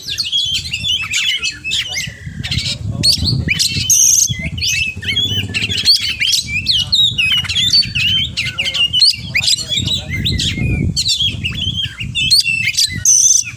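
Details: Long stretch of oriental magpie-robin song packed with mimicry, dense tumbling whistles, chatters and scratchy notes almost without pause, over a steady low rumble.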